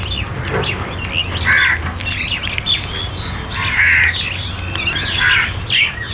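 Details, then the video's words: Crow calling while being fed: harsh nasal caws repeated every second or two, among overlapping squawks from other birds and low background rumble. "Crow Sounds For Food"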